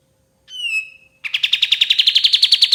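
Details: White-shouldered triller song for training other songbirds: a pure falling whistle, a short pause, then a fast, regular trill of ringing notes that rises gently.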